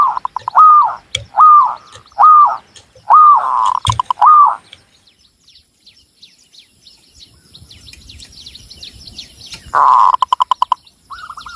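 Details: Local Javanese zebra dove from Cilacap, Central Java, singing: five loud hooked cooing notes in a row about every 0.6 seconds, a pause with faint high chirps of other birds, then a buzzy burst and a short rapid series.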